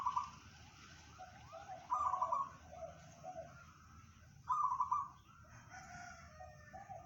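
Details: Zebra dove of local stock giving bedah karang song: two loud rapid trilled coo bursts about two and a half seconds apart, each trailing into lower, gentle cooing notes, with steady low background noise.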